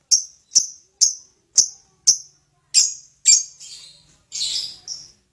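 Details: Lovebird calling with single sharp, high chips, about two per second, then a few harsher, scratchy notes.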